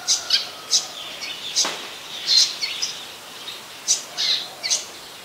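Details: Olive-backed sunbird in the mangrove forest of the Sirinart Rajini centre; sharp, high chirping notes given in quick irregular bursts, some paired, with brief pauses between, over a faint background hiss.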